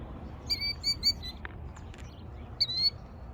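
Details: Killdeer in Tennessee, nesting on eggs laid directly in a gravel parking lot near a road, is upset at a person next to its eggs and does a broken-wing display, giving shrill, high piping calls: three quick, then one drawn-out, over low wind rumble.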